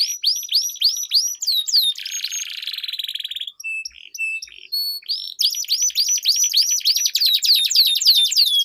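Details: Canary duel song serving as a training lure for competition birds: hooked whistled notes repeated rapidly, a harsh grating buzz, scattered pure tones, then a long fast rolling trill with looping upper notes.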